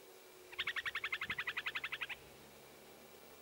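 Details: Upland sandpiper (Bartramia longicauda) calling in jack pine regrowth on a burn at Baraga Plains, north of Watton, Michigan, on 21 June 2017: a quick, even rattle of about sixteen sharp, high notes over a second and a half, against a quiet low hum.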